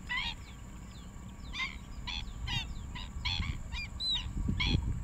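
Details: Juvenile black-winged stilt calling at Rompin paddyfields, Malaysia, 8 January 2023: sharp, nasal yelping notes, about nine in five seconds at uneven spacing, each note a bright stacked bark; low rumbling wind or handling noise underneath.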